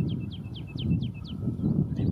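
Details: A woodlark, back in the coastal dunes in early spring (around the first week of March), sings a quick run of six liquid, falling notes, about four per second, each followed by a soft lower note, over steady low wind rumble; it sings from branches and in flight.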